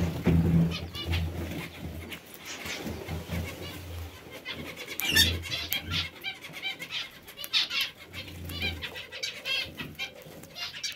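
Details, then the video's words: Parakeets in an aviary giving busy, harsh, chirping chatter, notes repeated about four times a second and loudest in the second half, over low, steady cooing sounds from other birds in the background. "Aviary bird | Parakeets"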